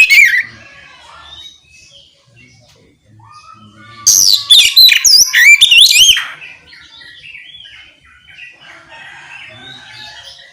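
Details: Ngeplong-style song of an oriental magpie-robin, played to make other magpie-robins respond: a short whistle opens, then after quiet a loud two-second run of fast, twisting high whistles and trills, followed by soft background chirping.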